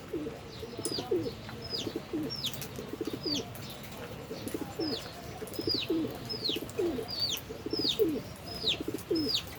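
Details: Albino and Fischer's lovebirds feeding and playing give a regular run of high, downward-sliding chirps, roughly one each second, with low bubbling coos running underneath.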